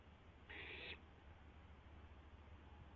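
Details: Barn owl, a single harsh hissing screech of about half a second heard from a live nest camera just after midnight on 12 April 2016 as an owlet tests its wings, over a steady low electrical hum.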